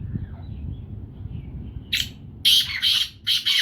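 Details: Six-month-old black francolin chick giving harsh, grating squawks after a quiet start: one isolated note, then a tight group of three loud rasping calls and two more in quick succession. A low rumble continues underneath.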